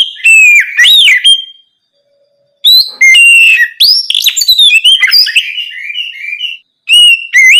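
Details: Caged Oriental magpie-robin's full night song, played to encourage untrained birds to start singing; clear whistled phrases, sharp chirps and rapid trilled notes in several bursts with short pauses between.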